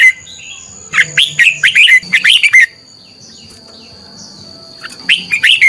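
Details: Competitive song of a decoy red-whiskered bulbul, used to train and excite other bulbuls: a long run of quick, rolling whistled notes, a quiet stretch, then another lively phrase begins.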